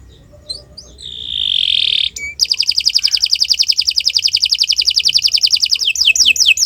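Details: Singing canary, recorded as a training model for other birds: a soft start, a steady buzzy held tone, then a long fast rolling trill ending in several sweeping whistled notes.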